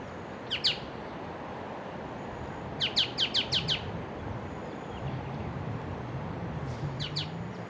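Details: A White-cheeked honeyeater zipping about the bush, calling to its mate hidden nearby: a double chip, then a rapid run of five sharp, high notes, and later a fainter pair, against low background rumble.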